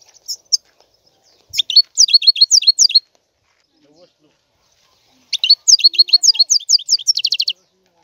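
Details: Goldfinch song in two bursts of rapid, liquid twittering, each a tight string of high, tinkling chirps repeated several times a second, separated by a few seconds of quiet.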